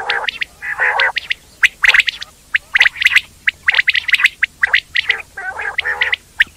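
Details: Indian quail (batair) chattering: dense bursts of thin high chirps interleaved with rougher, buzzy mid-pitched notes, several birds calling at once and almost without pause.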